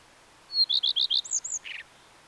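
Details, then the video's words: Common redstart singing one strophe: a thin opening whistle, four steady repeated notes, two higher slurred whistles and a short buzzy rattle at the close, against a quiet background. "The song of the Common Redstart"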